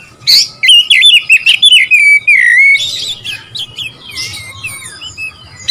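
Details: Singing Oriental magpie-robin, used to stir rivals into answering: rich, rapidly modulated whistles sliding down into a drawn-out note, then softer scattered chirps and twitters with a faint hum behind.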